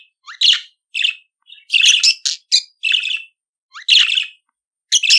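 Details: Budgerigar singing in bursts of scratchy chirps and short rising squeaks separated by brief silences, clean recording with no other animals.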